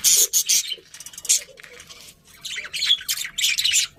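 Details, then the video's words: Pet budgerigars chirping: bursts of harsh, buzzy squawks and chatter alternating with quieter warbling, several rapid chirps clustered near the end. "Cute Birds Chirping Sounds #Beautiful Budgies"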